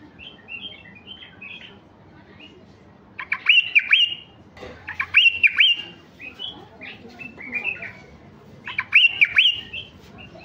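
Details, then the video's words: Stud male White-eared bulbul of a mutation strain sings repeated chattering phrases built around looping whistled swoops, roughly every two seconds, with softer chirps and faint clicks filling the gaps. "تغريد بلبل عراقي طفرة فحل لفتح البلابل الوحشية الخام"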